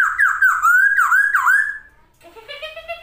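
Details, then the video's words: Masked laughingthrush singing hard and spreading its wings, delivering loud clear whistled phrases that dip and rise, repeated about three times a second, then softer rising notes. "burung poksay hongkong gacor buka sayap"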